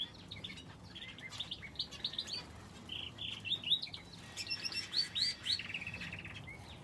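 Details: Aviary finches kept together with a canary, giving a lively stream of high, bright chirps and short twittered phrases throughout, busiest in the second half, over faint low hum.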